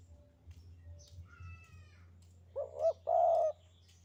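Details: A Javanese spotted dove gives its 'sandungan kuk 2' coo near the end: two quick wavering notes, then a long, smooth, droning coo. Before it are faint higher whistles and a soft low rumble.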